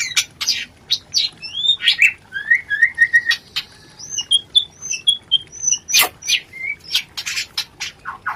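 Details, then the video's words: White-rumped shama, a lure played to stimulate mating; spaced clear whistles and upward-sweeping notes mixed with sharp clicks and snapping sounds. "pancingan Suara Rencetan Ini Ampuh Membakar Birahi Murai"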